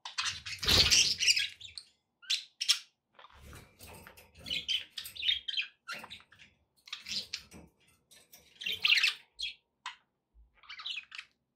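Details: Budgerigars kept as pets chatter indoors, with a steady stream of short scratchy chirps and warbled notes, about three per second, broken by brief pauses, and a louder opening burst with some low thumping.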